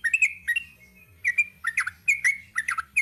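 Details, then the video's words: Sooty-headed bulbul giving 'ropel panjang' long rapid song: clusters of sharp, slurred chirps in quick groups separated by brief gaps. "Kicau TRUCUK ROPEL PANJANG."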